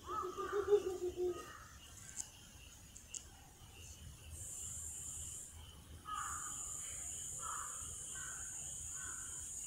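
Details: An owl at a nesting site in Japan, May 2021, gives a low, hollow hooting phrase at the start, then falls quiet; a steady high insect buzz and faint distant calls continue behind.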